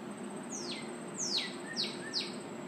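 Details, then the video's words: Northern cardinal singing: a series of four loud down-slurred whistles, sweeping sharply from high to low, the later ones shorter and quicker, with a short low note between, over a constant high whine and hiss. "Cardinal singing"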